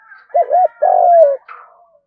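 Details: Decoy spotted dove in the field-voice style, one fighting coo: a doubled wavering note, then a drawn-out, gently descending hoot, ending in a brief higher rasp.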